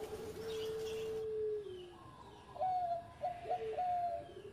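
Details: Zebra dove, a former competition champion, singing in the engkel style: a long steady low coo that slides downward, then a pause and a run of higher, clipped, bubbling coos with short breaks between notes.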